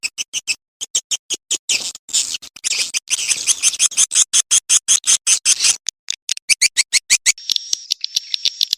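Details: Swiftlets calling the young: a rapid train of sharp, dry clicks, about 167 a minute. A wash of twittering rises midway, and a buzzy high tone appears near the end.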